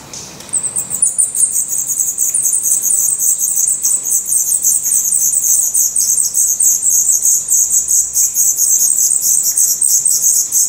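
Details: After a brief pause, black redstart nestlings in Portugal, eyes open and growing their adult feathers, break into a sustained, crowded wash of high hissing squeaks that continues without a break.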